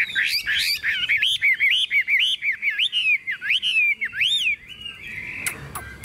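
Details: Tame Chinese hwamei singing in a hand-carried, shaken cage: a continuous stream of rich whistled notes bending up and down, roughly two phrases per second, ending in a higher swooping note and quieter scratchy sounds.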